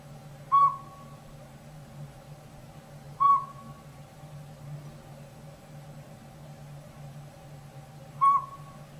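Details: Northern Pygmy-Owl, tiny and robin-sized, calling from woods behind a house where it took over an old sapsucker nest in a hollow tree: three mellow, single-pitched whistled toots spaced a few seconds apart, each trailing off, over a low steady hum.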